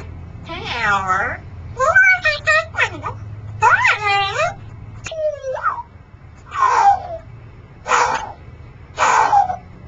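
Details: Congo African grey parrot, a male kept as a pet that spends days on a perch in a shop and nights in a large cage, giving a run of speech-like vocal phrases with wavering, harmonic-rich syllables and short pauses between them.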